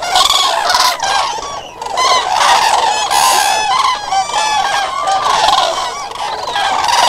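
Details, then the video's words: A dense crowd of common cranes calling at once, with loud rolling trumpet notes blending into a raucous, steady wall of sound and a few individual calls standing out above the rest. "Common Crane musical chords"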